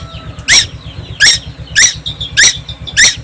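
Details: Constantly singing young tuwu from Timor Island: five grating, high squeak notes at slightly uneven intervals, with soft trills between them, set against a continuous low-pitched hum.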